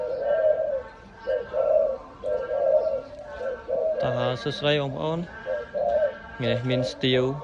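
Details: Rolling low coos from a big-voiced dove for sale repeat through the recording, while a man talks over the second half.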